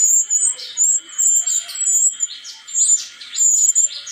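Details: Bright, very high-pitched warbling from a wild-caught Brown-chested jungle flycatcher from Bali, in short tinkling bursts with quick slurred notes, nearly continuous across a few seconds over a faint steady hum.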